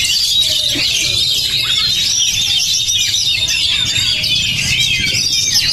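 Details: High-spirited Oriental magpie-robin (kacer) delivering a dense, shrill warble of overlapping squeaks and thin whistles at a constant loudness, with a few faint lower chirps early on.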